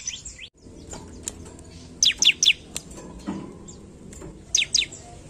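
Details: Bar-winged prinia calling to provoke rivals: a trio of sharp, high, falling chirps mid-clip and a pair near the end, with occasional isolated ticks against a soft hiss.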